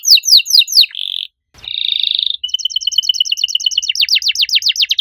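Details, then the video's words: A loud, vigorous canary performs a unique-style song: falling whistles, a buzzing steady trill, a short gap with a click, another long buzz, a rapid double-pitched rattle, then quick downward-sweeping notes. "Kenari gacor suara nyaring cengkok unik"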